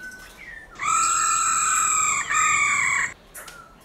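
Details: Forest-style song of a black-throated laughingthrush, used to get caged birds singing: two long, loud, steady whistled tones, rich and ringing, with a short break between them and quiet before and after.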